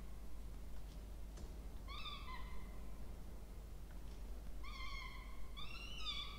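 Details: Peregrine falcon nestlings, two chicks, nest box in a university water tower at Orange, New South Wales, Australia, October 2024, while being fed; thin, whining drawn-out cries, one then a pair in quick succession, over steady low hum.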